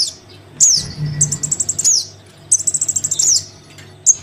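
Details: Young Crimson sunbird begging from its parent, a lure sound: two bursts of quick, evenly spaced high chips, each ending in a shrill downward squeak, then a lone chirp, over a faint low hum.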